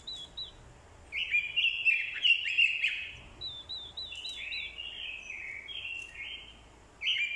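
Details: Decoy orange-headed thrush in fighting song, prompted by a female's call: short upslurred whistles lead into loud, fast, jumbled warbling, then a string of descending whistled notes before a fresh outburst.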